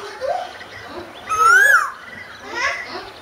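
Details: A single clear koel whistle climbing in pitch then dipping, dominant over soft nearby chatter and child-like voices before and after.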